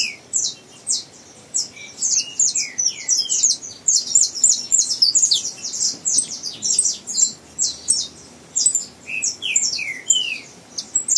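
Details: Song practice by a young captive saffron finch: choppy series of shrill high chips with clusters of lower downward-gliding notes near the start and end.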